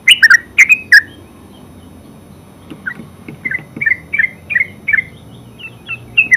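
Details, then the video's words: Yellow-vented bulbul (terucuk) ngeropel song: a loud opening burst of three bubbly chirps, a quiet gap, then softer rising series of short chirps building again toward the end. "Terucuk full suara ngeropel terbaru 2023"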